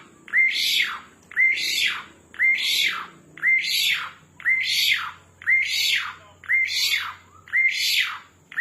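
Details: Energetic Asian pied starling repeating a steady series of eight harsh phrases, one roughly every second. Each phrase is a brief clear whistle sliding into a coarse, rasping downswept squawk. A faint background hum is heard.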